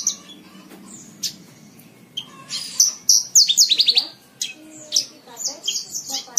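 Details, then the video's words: Tutor song from a Horsfield's bush lark for cage bird training: quiet start, then an energetic burst of sharp, rapidly repeated high notes, followed by spaced chirps and short whistled phrases. "MASTERAN BRANJANGAN SATU JAM FULL"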